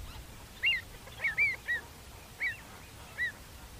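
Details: Field recording of a Pied avocet uttering quick clear piping notes, short down-curved whistles, some doubled, six calls in under four seconds against soft background noise.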